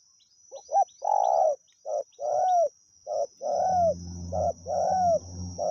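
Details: Spotted dove used as a decoy to call wild doves coos continuously in a mellow repeated phrase: short notes followed by longer, slightly falling coos, with a faint low hum and a thin steady high tone.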